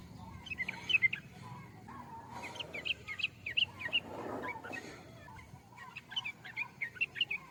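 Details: Sooty-headed bulbul chirping in lively, bubbly phrases of rapid, slightly slurred notes, repeated in several bursts across the recording, with a soft low hum and a brief muffled noise midway.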